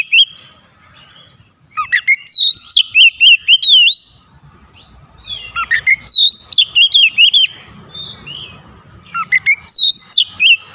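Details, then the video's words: Oriental magpie-robin answering a rival with repeated phrases of loud, bright whistled notes in rapid runs, three bursts separated by short pauses, over a faint background hum. "PANCINGAN KACER LANGSUNG GERTAK LAWAN | LAWAN PUN BALAS GERTAK"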